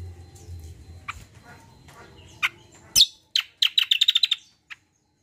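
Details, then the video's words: Common iora, called kacial locally, in a lively combo song used to stir untrained birds: a quiet, scratchy start with scattered chirps, then a quick burst of sharp, high repeated chirps near the end. "TERAPI BURUNG KACIAL KOMBO GACOR"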